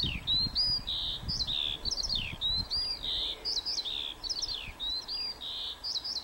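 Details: At Warfield on 1 May 2013, a skylark pours out bright, rolling song phrases, each a quick chirp followed by a short buzzy trill, repeated about every three-quarters of a second; faint wind beneath.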